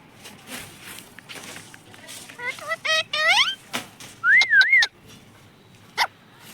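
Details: Parrot that talks, saying mummy papa. Soft human chatter in the background gives way to quick, rising, harsh syllables, then a loud, wavering whistle that dips and rises twice, followed by a single sharp click.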